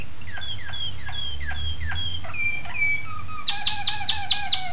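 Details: Malinois Waterslager canary singing on 26 October 2012: a series of clear descending slurred notes repeated roughly every third of a second, switching to a rapid, evenly spaced bubbling tour with rich overtones, steady low hum behind.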